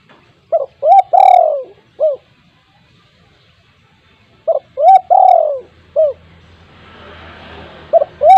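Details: Spotted dove kept at home, calling to prompt silent doves to join in: two phrases of short rising notes, then a long falling coo and a brief closing note, about four seconds apart, with a third starting and hiss at the end.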